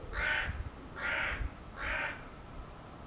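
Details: Three rough, raspy caws from a hooded crow, evenly spaced under a second apart, with low rumbling background noise.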